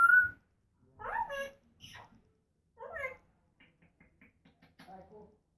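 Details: Pet African grey parrot talking indoors, producing several speech-like phrases with rich harmonics, separated by short pauses, then a run of soft quick clicks and a brief muffled phrase at the end.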